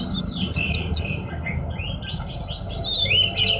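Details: Horsfield's bush lark, kept as a hobby bird, singing quick high chirps and short whistled slurs, then a rising whistled note and dense twittering, with low hum beneath.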